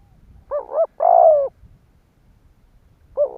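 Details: Spotted dove used as a lure to provoke other doves: a doubled hollow note followed by a long buzzy coo dropping slightly in pitch, then another doubled note after a pause, over faint low rumble.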